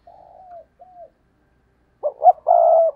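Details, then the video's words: A decoy spotted dove provoking rivals with the stammering 'gù cà lăm' coo. Two soft falling coos are followed by a pause, then two jerky short notes and a sustained, even coo. "Gù Cà Lăm - Chim Cu Mồi Thúc Gù Kích Bổi Cực Nhạy"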